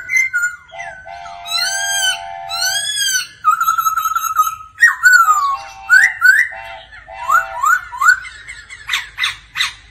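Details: Laughingthrush in daily singing practice, accompanied by a female's 'ro ro' calls. It delivers a varied run of clear whistles: low steady tones, arching repeated phrases, then quick rising slurs and sharp bright notes.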